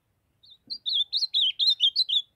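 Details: Young ultramarine grosbeak, brown since fledging, from Brazil's Northeast, gives a rapid two-second phrase of about eight sliding, liquid high notes after a soft opening note; a small low click at the start.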